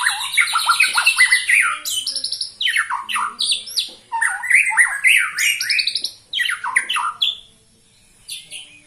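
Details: White-rumped shama, a 21-year-old bird still singing hard, delivering a loud, varied song of rapid sweeping whistles and harsh chattering phrases in quick succession, with a brief pause near the end.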